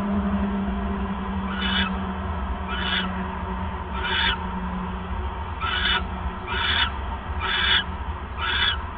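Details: Owl at night on December 28, 2014, with a male arriving with a third mouse; seven hoarse, hissing screeches, loosely spaced and growing closer together, over a continuous low hum.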